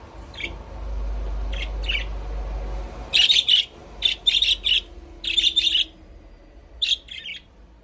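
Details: Budgerigars playing in their aviary chirp in short bright bursts, loose clusters of high scratchy notes after a quieter start with a low rumbling background hum.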